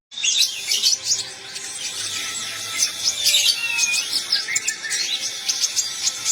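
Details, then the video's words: Olive-backed sunbird delivering trotol song: rapid, unbroken high-pitched twittering mixed with sharp chirps and brief whistled glides, including one clear rising-falling slur midway, sustained with little pause throughout. "Kicau Konin trotol"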